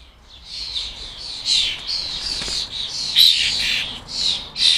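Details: Several fledgling European starlings begging as they are fed at a garden bird table in the UK. They give rasping, hissy screeches, some drawn out and some clipped, rising and falling in loudness over steady background chatter.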